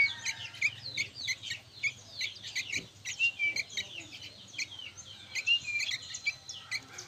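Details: Softer chorus of young sooty-headed bulbuls: scattered high chirps and occasional bright whistled notes in loose bursts, with a faint low hum underneath.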